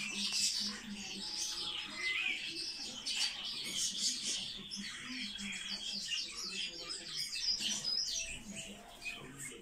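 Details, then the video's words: A captive Eurasian bullfinch of the Caucasian subspecies gives a quiet, creaky, twittering song with a few soft piping whistles; dense high chirping runs throughout, over a faint low hum. "Снегирь. Кавказский подвид. Разница в пении"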